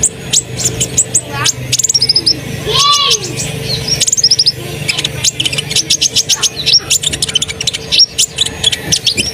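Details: Asian pied starling in full chatty song, used to stir other birds into singing along; a dense run of sharp high chirps, whistles and a rising-falling slurred note, over a steady low hum.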